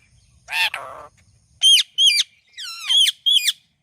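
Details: Parrot saying "Mithu": one rough, noisy squawk, then four bright, high, bent-note calls in quick uneven succession, loud and clear against near silence.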